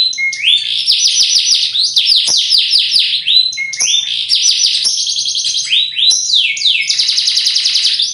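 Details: Bottle-green canary from Indonesia singing a loud, unbroken, high song of fast rattling trills and rolling tours, with rising sweeps and buzzy repeated notes that change every second or so.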